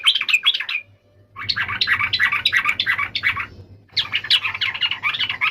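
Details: Yellow-vented bulbul pouring out almost continuous bubbly chattering song, dense quick notes wavering up and down, with only brief breaks near 1 and 4 seconds; light low hum present.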